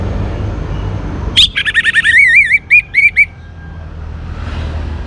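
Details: Young orange-headed thrush singing to prompt other birds to sing: a sharp opening note, then a continuous warbling phrase of repeated wavy whistles and clicks lasting nearly two seconds, with quiet low rumble before and after.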